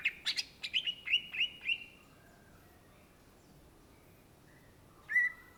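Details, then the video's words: Greater green leafbird (cucak ijo) singing gacor: a quick run of sharp, clipped whistles, then silence and a single drawn-out lower whistle. "SUARA BURUNG CUCAK IJO GACOR , TELER"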